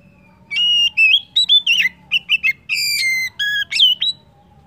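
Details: Oriental magpie-robin song played as a lure to prompt other birds to sing: loud, clear whistled phrases with rising and falling notes, short sweeps and buzzy chips in quick succession, over a quiet background.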